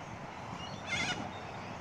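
A single harsh, rasping screech from a corella, lasting about a third of a second, over a steady broad hiss of background noise.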